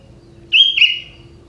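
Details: Young wild sooty-headed bulbul from forest, song with prinia-like fill: one short clear whistle followed by a slightly lower, fuller warbled note, lasting about half a second, against a faint steady hum.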